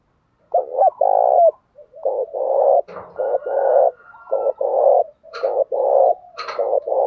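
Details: Spotted dove calling to challenge other doves. Dense, rapid runs of short mellow coos follow one another almost without pause, with several brief sharp clicks scattered through.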